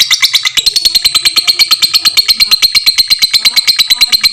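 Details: Fighter lovebird with a long ngekek for tutoring other lovebirds: a steady, even, very high buzzy trill of fast repeated pulses, strongest at the start, holding one pitch throughout.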